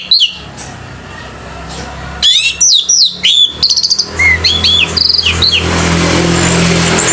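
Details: Singing-competition male orange-headed thrush: after a brief note, a burst of rapid high slurred whistles and buzzy phrases, then mimicking-style chips, fading into rising background noise at the end.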